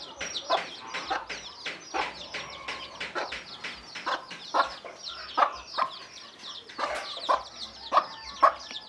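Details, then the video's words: Mother hen calls her chicks to come and eat with short, low 'kuk kuk' clucks in uneven bursts. High, thin, falling peeps from the chicks run through the whole passage. "เสียงแม่ไก่ดังกุกๆเรียกลุกมากินเหยือ/Tiếng gà mái"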